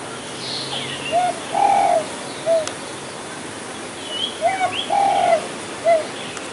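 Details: Spotted dove at a hunting spot, possibly a plump male, giving two phrases of short coo, long drawn coo and short coo; higher twittering calls from other small birds sound between phrases.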